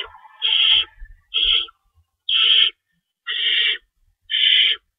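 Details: Owls at a nest at 3:53 AM on March 25, 2012, at feeding time, with two rabbits stored in the nest and one adult staying in to shred prey; five harsh, hissing screeches, each about half a second, roughly one per second.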